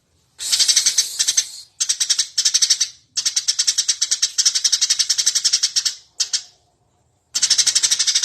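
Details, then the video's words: Eurasian tree sparrow singing energetically, used as a master recording to train birds: dense bursts of rapid, bright chirps, each burst up to about three seconds long, broken by short silences. No other sounds. "suara burung gereja gacor cocok buat masteran"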